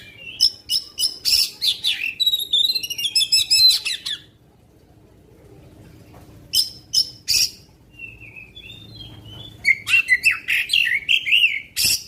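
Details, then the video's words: Long-shot song, called tembakan panjang, from a magpie-robin: four seconds of rapid, loud chips and fluttering high trills, a near-silent gap, then scattered sharp notes and lower slurred whistles returning toward the end. "Kacer Faekter tembakan panjang" pendongkrak emosi kacer lain"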